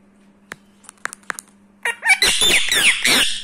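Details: A 7-year-old male rescued pet Indian ringneck (rose-ringed) parakeet in India makes a few sharp clicks while rubbing its beak, then a burst of harsh, scratchy talking chatter, over a low steady hum.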